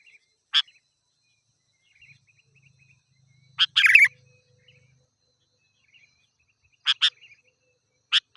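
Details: Sooty-headed bulbul in lively song, played to lure wild birds: sharp broadband chips spaced seconds apart, with one harsh chattering burst near the middle and a faint low hum underneath.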